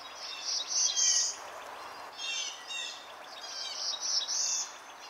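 Black-throated Blue Warbler giving three high, lazy phrases a second or so apart, each a few slurred notes ending in a rising buzzy zee, over faint background hiss.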